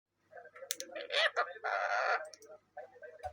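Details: Parrot talking, with the Bengali phrase 'what is this?' in the prompt: a run of short, harsh, voice-like syllables, then a loud buzzy stretch in the middle, then softer murmured notes, over about three seconds.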